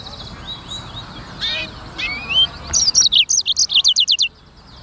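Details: Prolific song of a black-throated canary (sanger), recorded clearly as training material: soft sliding whistles and scratchy notes build into a loud, rapid series of about twelve sharp high chirps repeated evenly, then silence.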